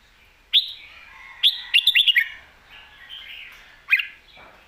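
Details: Red-whiskered bulbul kept for competition singing, alternating song phrases: short loud whistled notes around mid-high pitch separated by pauses, with a quick run of four clipped notes near the middle and softer warbling between.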